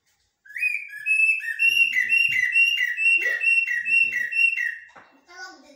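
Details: Common blackbird (jahmoumia) singing in blacksmith and military style, a steady series of about ten loud, even whistled notes on one pitch, roughly two per second, with faint talking in the background.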